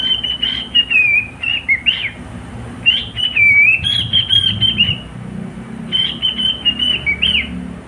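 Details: Cockatiel kept as a pet bird sings a run of whistled phrases, long slurred notes dipping and rising, broken by brief pauses, with a soft low hum beneath.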